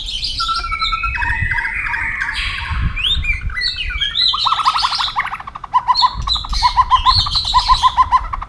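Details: White-rumped shama competing in song: warbled phrases and whistles, then fast trilled runs of repeated notes, with low background rumble.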